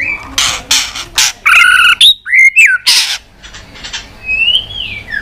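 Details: Agitated white-rumped shama giving fighting song with tail-flicking clicks: harsh ticks mixed with clear whistled notes that rise and dip, and a long upward-sliding whistle near the end.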